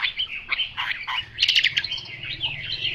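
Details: Chinese hwamei giving a brief, loud phrase of mellow whistles and harsher chattering notes, with a sharp, strident burst in the middle and a low background hum.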